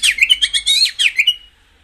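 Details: Rapid twittering phrase from a white-rumped shama, used to stimulate caged birds: about seven quick, high, chirping notes in a rhythmic burst, fading into silence.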